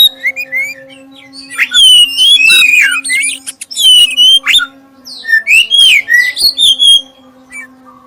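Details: Oriental magpie-robin of the black-breasted type giving a lure song to trigger singing in others; loud varied whistles and twisting phrases in bursts with brief gaps, steady low hum throughout.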